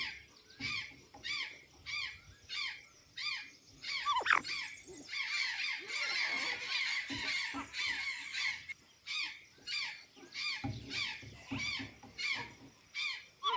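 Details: An azure jay at Santa Catarina, eating banana and sweet potatoes, produces a long series of rasping squawks, interrupted by a dense, louder burst of overlapping calls in the middle before the regular pattern returns.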